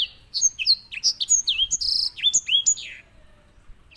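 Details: White-rumped seedeater, kept as a canary tutor: a continuous run of high, clear whistles, many dropping in pitch, broken by a brief buzzy rattle, about three seconds long before falling quiet, with a faint low hum behind it.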